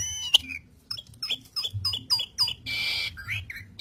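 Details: Singing Asian pied starling with energetic gacor delivery: a string of short, slurred chirps and whistles about every quarter second, broken by a harsh rasping burst, then more clipped notes.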